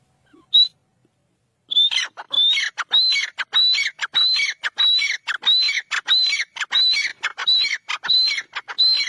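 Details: Kala teetar, the black francolin, calling. One brief whistle comes first, then a pause, then a long run of repeated phrases. Each phrase is a high whistled note followed by harsh, scratchy falling notes, about one and a half per second.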